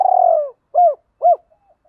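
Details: Decoy spotted dove urging other doves to respond: a long buzzy falling coo, followed by two short clear coos about half a second apart, then faint soft notes.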